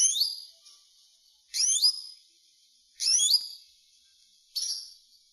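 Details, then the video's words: Common linnet song: four short bright phrases of fast sweeping, whistled notes, each about a second apart, with quiet gaps between them. "Chant De Linotte"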